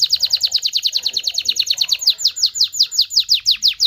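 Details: Canary singing a fast series of downward-sweeping high notes, about two per second then slowing slightly, with faint low murmurs underneath; song used to stimulate male and female canaries to mate.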